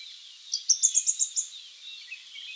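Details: Nilgiri flowerpecker (Dicaeum concolor) call: a quick run of about six high, thin, evenly spaced ticking notes over faint background hiss.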